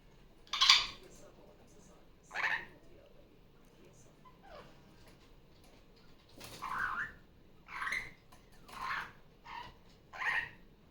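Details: Female pet superb parrot indoors, loud again on a Sunday morning playtime after coming off her nest: a series of short harsh squawks spaced one to two seconds apart, with quieter bird sounds from a tablet playing other superb parrot recordings.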